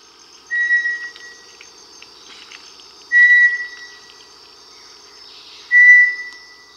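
Bartlett's Tinamou gives pure, level whistles about a second long, three of them at roughly two-and-a-half-second intervals, over a steady high insect drone.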